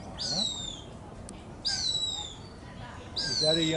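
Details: Cooper's hawk at its nest at Lake Chabot in 2024, days 30–39 of nesting, gives three thin, high, down-slurred squealing calls about 1.5 s apart while calling very close by; it is unclear whether it is a young bird or an adult. A low human voice murmurs beneath.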